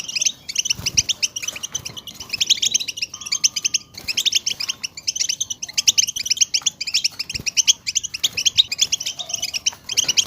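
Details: Several European goldfinches chattering as a group, meant to excite goldfinches to sing; lively bursts of rapid sparkling twitters separated by brief gaps, with an occasional short whistle.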